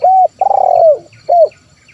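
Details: Zebra dove calling to lure wild birds: a clear flat coo, a long vibrating trilled coo dropping in pitch at the end, then a short final coo.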